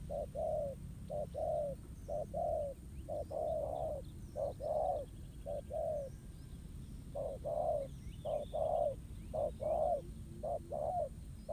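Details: Trapping scene with a ground decoy: a wild spotted dove coos steadily. Short and long mellow notes alternate in a long series, with faint high chirps of other birds and low rumbling behind.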